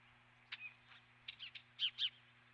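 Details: Osprey at its nest, filmed by a nest camera on 12 March 2016 around 09:18; a few faint, sharp chirps, two louder slurred whistles near the end, over a steady low electrical hum.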